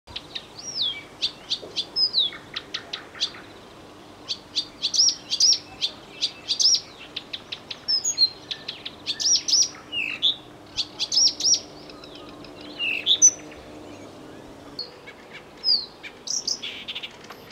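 A Blyth's reed warbler sings a lively run of clicks, whistles and slurred high notes.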